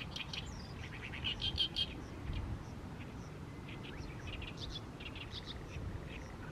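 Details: Oriental reed warbler in mid-May, singing on through the evening sun in a fallow rice field: choppy series of harsh, scratchy notes in short bursts with pauses between, and a steady low rumble behind.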